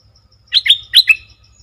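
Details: Streak-eared Bulbul song recorded 20 March 2022: one short phrase of four quick, bubbly, slurred notes in two pairs, mid-high pitched, with a faint steady ticking in the background.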